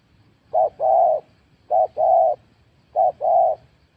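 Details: Spotted dove in a cooing contest: three matching pairs, each a brief note and then a fuller sustained coo, spaced about 1.2 seconds apart in a quiet setting.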